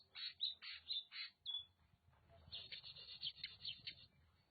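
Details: Oriental magpie-robin (Copsychus saularis) from Nagan Raya, Aceh, singing in bursts of bright, rapid chirps and short whistled notes. A brief pause falls near the middle, then another quick run of varied phrases follows over a faint low hum.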